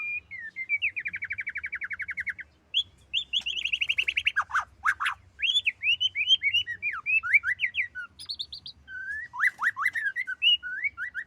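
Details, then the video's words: Female white-rumped shama singing: a fast rattling trill, a burst of harsh sweeps, then a lively sequence of varied rising and falling whistled notes and chirps, fairly loud and continuous. "burung murai betina"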